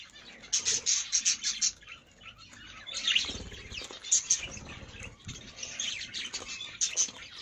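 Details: Colour-variety budgerigars in an aviary chatter with bright, scratchy chirps and short warbles in quick overlapping bursts, several birds calling at once, with faint wing flutters and background thumps.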